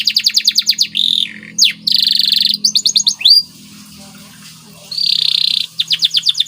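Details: Masteran training song of a white canary in gacor style: rapid chip series, dense buzzy trills and a falling whistle, a near-silent pause with low hum, then another buzzy trill and fast notes.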